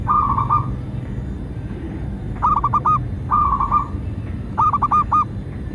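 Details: Local zebra dove song serving as a lure so captive doves sing and wild doves come: four phrases of fast, bubbling cooing notes, alternating smooth and clicking-edged bursts, over low rumbling background noise.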